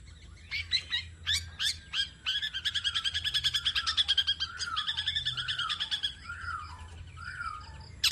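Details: Tame long-tailed shrike singing a full mimicry song of the kind used to prompt other birds to sing: scattered sharp notes open into a fast, rattling trill of about twenty pulses, then slurred descending whistles.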